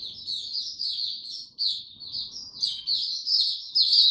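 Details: Caged white-eye singing in warm, very humid weather: a continuous high twittering warble of rapid chirps and trills, with brief pauses and louder bursts near the end.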